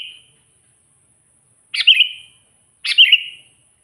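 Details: Sooty-headed bulbul, a lively singer used to call and provoke wild bulbuls, natural sound. Two short bright chirpy phrases around the upper-middle pitch, each a quick burst of two or three notes with a falling tail, about a second apart.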